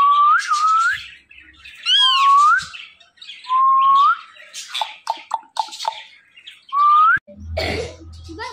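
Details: Green Indian ringneck parakeet producing loud, clear whistled phrases that rise at the end. Quick clicks and a harsh squawk fall between them, with a brief low rumble near the end.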